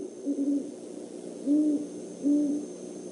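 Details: Male and female Great horned owls on an overnight visit to the Decorah eagle nest, 17 December 2014; a quick stuttered double hoot followed by two longer, level low hoots, fairly soft over background hiss.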